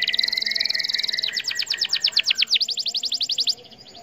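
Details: Canary song used as a lure to provoke other canaries into singing: a long rapid trill of buzzy notes, then fast sweeping downslurred notes repeated several times a second, ending in a thin high trill.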